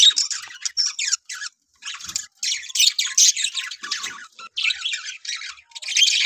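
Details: Pet budgerigars (Melopsittacus undulatus) in the morning, eating and chattering in bursts of harsh, scratchy warbles and squawks broken by brief pauses.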